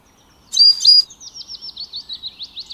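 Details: Lincoln's sparrow singing: two loud buzzy bursts open the phrase, followed by a fast run of about ten thin, high, slurred notes descending slightly in pitch, in a quiet setting.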